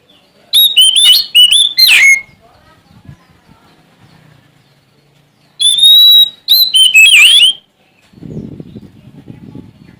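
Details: Sumatran Oriental magpie-robin singing to call out a rival: two bursts of fast, varied whistled phrases with sweeping rising notes, separated by quiet, with soft low rustling noise after the second burst.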